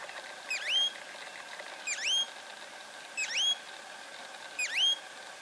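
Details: Green-backed becard recorded in the town of Ouro Preto, Minas Gerais, Brazil; a thin, high call with a quick dip and upward slur, given four times at steady intervals of about one and a half seconds over a faint background hiss.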